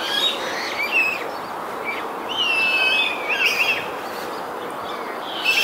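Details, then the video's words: A Eurasian coot family in the wild gives thin, high squeaky calls and one drawn-out whistled note, scattered irregularly over a steady background hiss. "Eurasian coot family in the wild"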